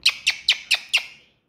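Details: A pet talking common hill myna, said to think it is a raptor and to attack its owner, gives five loud, harsh, metallic squawks in quick succession, about four per second, with slight room echo.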